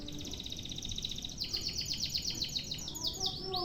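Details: Canary in a long one-breath song used as a training recording: rapid trills of repeated high notes, then a run of fast descending sweeps, continuous without pause.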